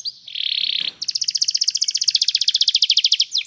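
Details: Canary singing as a training example for another canary: a steady high buzzy note, then a rapid, even trill of high repeated syllables lasting over two seconds.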